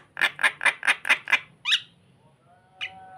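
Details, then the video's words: Starling luring another bird with six quick, harsh squawks at about five per second, followed by a higher rising note and one more short squawk after a brief pause. "Burung jalak memancing mangguk mangguk"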